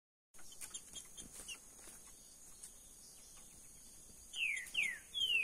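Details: Caged green-winged saltator (trinca-ferro verdadeiro): after about four seconds of scattered clicks and taps, three loud, clear whistled notes, each sliding downward, arrive close together near the end.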